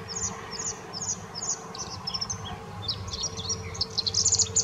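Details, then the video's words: Bluethroat song recorded at the Offstein settling ponds. Thin, high chirps repeat in a series, then give way to a faster, jumbled burst of scratchy twitters toward the end, over a steady low rumble. "Blaukehlchen singt"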